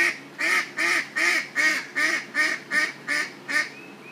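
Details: Female duck quacking loudly in an even run of nine nasal quacks, about two to three each second, the final ones trailing into a thinner rising note; quiet background.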